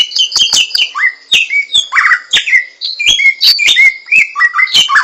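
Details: Samyong laughingthrush in the wild singing a varied, tumbling phrase of whistled notes that dip and swoop, some slurred low and others clipped high, delivered continuously with scattered sharp ticks.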